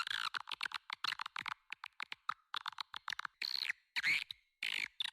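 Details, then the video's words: Swiftlet lure call played to attract swiftlets to a nest building in West Kalimantan, Indonesia: rapid dry buzzy chirrups in quick bursts, some longer rattling notes, broadband and sharply cut between pulses. "SUARA PANGGIL WALET TERBAIK"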